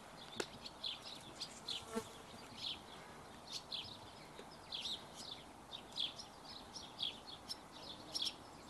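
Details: Barn swallow chicks beg while being fed, giving rapid bursts of high, thin, buzzy twittering that come every half second or so. A faint hiss of background noise runs beneath.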